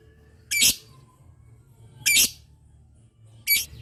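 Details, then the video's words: Lovebird 'ngetik' chatter meant to set other lovebirds calling back: three loud, rasping, high-pitched chirps separated by pauses of one to one and a half seconds, with faint hum underneath. "Suara burung Lovebird Ngetik Panjang Bikin Lovebird Dimana Saja Auto Nyaut"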